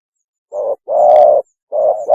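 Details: Spotted dove mating call played as a bird-trapping lure, a brief low coo then a long sustained hooting note, with a second short coo beginning a new phrase; faint high chirps in the background.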